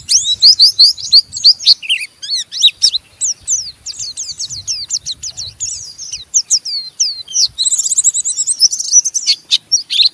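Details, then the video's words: Oriental white-eye ngeriwik, a rough chatter to goad other white-eyes into song; loud fast high twittering, slurred downstrokes in quick succession, ending with dense overlapping buzzy notes. "Burung Pleci Ngeriwik Gacor merangsang Pleci Bahan ikut Ngeriwik Sampai Buka paruh"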